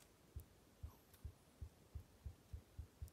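Great grey owl: a series of nine very deep, soft hoots, speeding up slightly from about two per second. Faint background hiss.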